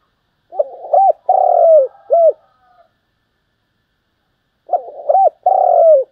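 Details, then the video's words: Lively 'thúc gù' coos from a Spotted dove kept as a decoy: stuttering short hoots lead into a sustained low coo with a falling tail, the phrase repeated after a pause of roughly two seconds. "cu gáy thúc gù, sung và rất căng// tiếng cu gáy mồi chuẩn"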